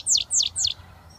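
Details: Three rapid descending whistled slurs from a young British goldfinch just starting to whistle, evenly spaced in quick succession.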